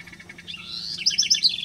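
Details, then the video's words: A house wren (Troglodytes aedon) sings a quick, bubbly run of high, tumbling notes that grows louder toward the end. "Canto de la Ratonera común"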